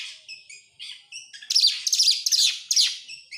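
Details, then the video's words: Oriental magpie-robin singing as a lure for other birds: a few clear whistled notes open, then a harsh, rapid and loud chattering burst of tightly packed phrases. "buat pancingan Kacer sangat top buat burung mewah"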